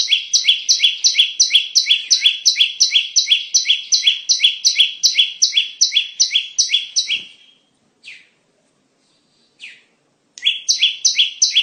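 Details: Lure song of a bar-winged prinia for trapping: a long, rapid, even run of sharp chirps lasting about seven seconds, then a few scattered notes in near silence, then the chirping run starts again.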